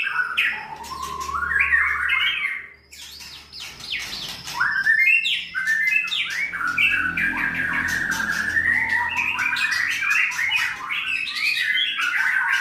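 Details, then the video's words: White-rumped shama bred for song contests in Sragen, Indonesia, producing a long, loud sequence of varied whistles, harsh chips and scratchy notes after a short pause, with other bird chatter faintly mixed in. "peternakan Murai Batu Kontes AK 45 Sragen"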